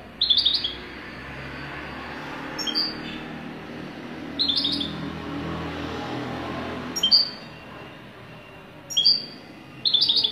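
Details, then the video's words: Wydani-style song of a European goldfinch: short, sparkling twittered phrases and single sharp chirps returning every two seconds or so, over faint low rumbling noise. "تغريد حسون ويداني"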